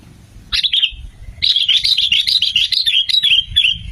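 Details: Lure recording of a sooty-headed bulbul singing energetically: one short bright phrase, then a lively run of rapid, liquid whistled notes that bounce up and down and continue for over two seconds. The background is quiet.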